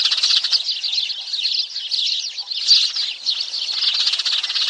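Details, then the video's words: Flock of sparrows in a lure recording for trapping: fast, shrill chirps pile up into a continuous squeaky chatter that swells and eases in waves. "tiếng chim sẻ"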